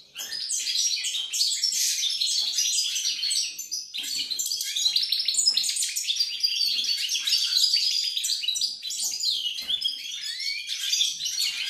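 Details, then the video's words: European goldfinch song, recorded 28 November 2020, likely a caged bird indoors: a continuous fast, twittering stream of tinkling, buzzy and liquid notes mostly high-pitched, with short trills and occasional rising whistles, almost without pause throughout. "GOLDFINCH SONG"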